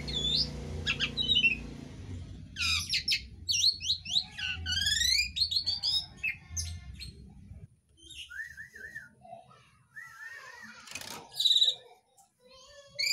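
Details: Asian pied starling singing a mimicry-rich song including green leafbird, magpie robin and sooty-headed bulbul imitations; buzzy trills and sweeping whistles over a low rumble early on, later wavering warbled notes and sharp chips.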